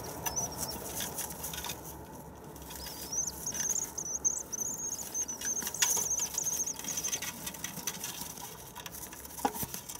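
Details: Common swifts newly arrived in spring, returning on 9 May. High, thin trilled screams come in uneven bursts through the middle of the recording, over a steady background hiss and faint low rumble.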